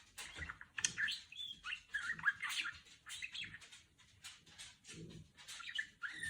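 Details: A pet female budgerigar chatters in an imitation of R2-D2. Fast warbling chirps mix with sliding whistles and scratchy notes in uneven bursts, with a brief quieter stretch in the middle.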